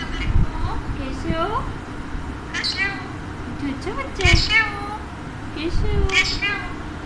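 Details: Talking pet Alexandrine parakeet utters strings of human-like words with sliding, warbling pitch, and its phrases are separated by short pauses amid a noisy room background.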